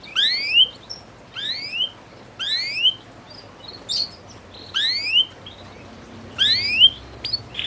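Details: Canary song used as a training recording for young canaries so they sing readily: short bright upslurred notes with higher buzzy strokes, repeated in separate bursts about every 1.1 seconds over quiet background hiss.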